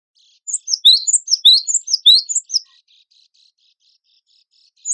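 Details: Cinereous tit (gelatik batu wingko), a vigorously singing bird recorded as a training master for songbird contests: a burst of about ten sharp, high, downslurred chirping notes in quick succession, then quiet with a faint trailing note. Clean background.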